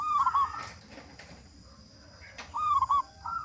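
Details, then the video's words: Local zebra dove singing as a lure so other doves start singing quickly: two rolling coo phrases at start and end, with clicks and background noise between them and a faint steady high tone. "Perkutut Lokal Gacor Suara Besar Pancingan Burung Perkutut Agar Cepat Bunyi"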